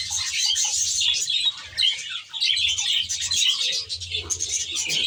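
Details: Captive budgerigars in a naturalistic aviary give a busy stream of high twitters and chirrups, swelling and easing in bursts, while a low pulsing hum comes and goes beneath.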